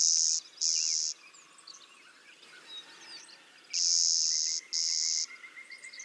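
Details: Clay-colored sparrow (Spizella pallida) song from eastern North America, a "zzz" or "z z" pattern: flat, insect-like high buzzes in pairs, two buzzes, a pause, then two more, with a faint thin whistle from another bird.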